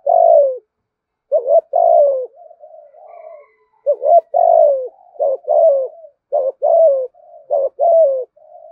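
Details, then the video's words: A spotted dove calls in full decoy sequences to attract other doves. A rapid string of deep coos, short wavering notes alternating with longer falling ones, with softer murmuring coos between groups and a faint higher tone. "Tiếng chim cu gáy kích bổi { THÚC GÙ, GÁY GỌI, ĐỦ BÀI, GIỌNG TO } CU ĐẤT THÚC GÙ GIỌNG BÀI BẢN"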